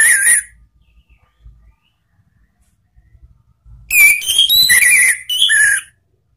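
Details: Caged orange-headed thrush singing a lure song: a short whistled note, a stretch of near silence with faint knocks, then a burst of varied ringing whistles and falling slurs.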